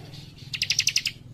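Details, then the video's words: Young cikrak, a leaf warbler, singing frequently with fast tight phrasing: a single quick trill of about seven clear, high, two-toned chips lasting half a second, with quiet hum behind. "Cikris Muda Gacor Nembak Rapat"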